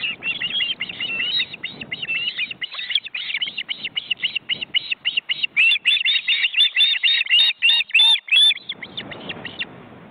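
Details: Ospreys on their nest in an Estonian forest reserve, live webcam, chicks fully grown and flapping their wings. A long rapid train of high, evenly spaced whistled chirps, growing louder in the middle, then trailing off.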